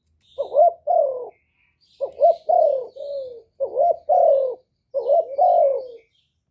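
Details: Spotted dove gives loud song meant to excite decoy birds into calling. Four clear phrases of husky coos, each a short note and then a longer note that drops in pitch, are separated by short silences.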